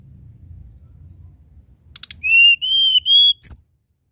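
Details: Tledekan gunung singing: brief clicks, then three long clear whistles climbing gently in pitch, finished by a quick high, wavering flourish.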